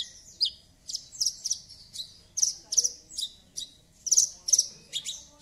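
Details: Javan bush lark singing strongly to prompt a silent bush lark: clusters of bright, very high chips in twos and threes, repeated in bursts, with faint low background noise.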